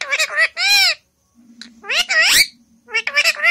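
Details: Indian ringneck parrot talking in Hindi, giving bursts of harsh, squawky, speech-like syllables in three groups separated by short pauses, with a low steady hum underneath.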